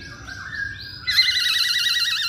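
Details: Masked laughingthrush sings actively. A few stepped, sliding whistles give way to a loud, rapidly trilled, warbling note held for over a second.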